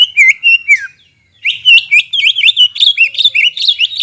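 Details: Greater green leafbird song played as a lure to stimulate birds after moulting: rapid run of slurred whistled notes between 2 and 4k, a brief pause, then a dense chattering, warbling sequence.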